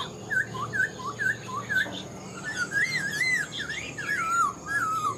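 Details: Black-throated laughingthrush, a caged old bird from the wild with a good voice, repeating short looped whistles about twice a second, then breaking into longer wavering, warbled whistled phrases.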